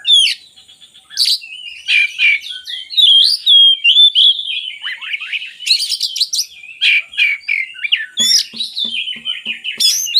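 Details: Song of an oriental magpie-robin, offered as a lure for lazy birds of its kind: continuous fast, varied chattering and sweet whistles, with soft low clicks repeating near the end.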